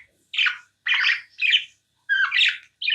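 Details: Five separate chirps from a tame pet budgerigar, each a short, rough, slightly buzzy squawk, spaced about half a second apart with silence between them.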